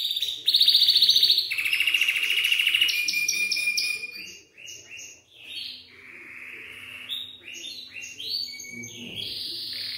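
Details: Belgian canary singing to stimulate young canaries: loud fast trills shifting pitch in the first four seconds, followed by quieter varied chirps, short whistles and a faint low steady hum.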